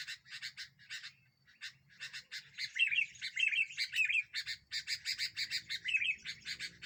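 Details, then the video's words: Sooty-headed bulbul singing actively as a lure for catching birds, said to provoke other birds: rapid harsh chattering notes repeated almost twice a second, broken by short bubbly whistled phrases in the middle, with faint low background hum. "Burung kutilang ini membuat burung lain emosi"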